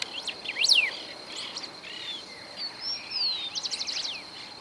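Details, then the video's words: Recorded in Esperanza, Santa Fe, Argentina, 2020, a golden-billed saltator gives a bright whistle that plunges from high to mid pitch, then a long slurred note. Other birds' chirps and a steady high insect drone run throughout. "Cantos de pájaros Pepitero de collar"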